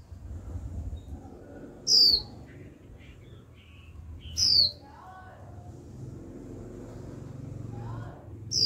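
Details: Young female Japanese white-eye calling 'chíu' repeatedly to stimulate males to sing: high descending whistles about every two and a half seconds, a third starting at the end, plus soft warbled chirps between.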